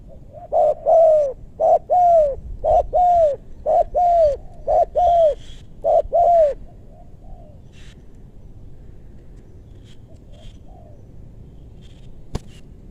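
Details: Spotted dove in West Bogor meranti woodland, recorded while wild doves with big voices are lured. A quick run of paired coos, short then long, repeats for about seven seconds, then fades to near silence with faint distant notes and a click.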